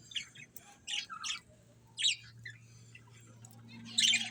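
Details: Pet budgerigars give scattered short chirps and squeaky warbles in brief bursts, high-pitched and spaced about half a second to a second apart, with a low steady hum beneath.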